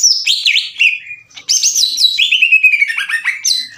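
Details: Green leafbird song meant to provoke rivals into singing: looping whistled slurs and a long descending whistle, then after a short pause a busy burst of rapid trills and chirps.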